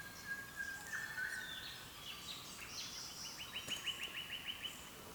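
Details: Dawn birdsong from Australia's east coast, recorded by camera: a short buzzy whistle, then a quick even series of about ten bright repeated notes, with softer twittering from other birds around it.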